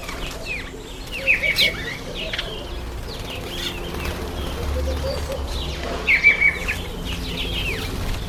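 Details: Masked weaver in breeding season, September to October: bursts of dry, buzzy chattering sweeps around two short whistled phrases, with soft low cooing and background rustle throughout.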